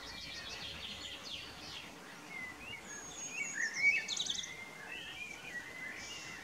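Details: A common blackbird perched on a house roof and an old telephone pole sings on the evening of 11 May 2018 in spring: soft, fluty phrases ending in thin, high twittering, over steady hiss.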